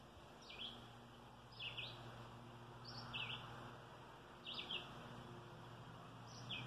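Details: Small bird calling on and on, heard as snorting, twerping and chirping; quiet high chirps in short bursts about once a second over a steady low hum and background noise.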